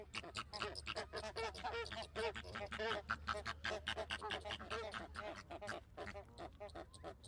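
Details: A large gathering of flamingos honks without pause. The harsh, nasal, goose-like calls overlap in a busy, uneven chatter that eases slightly toward the end.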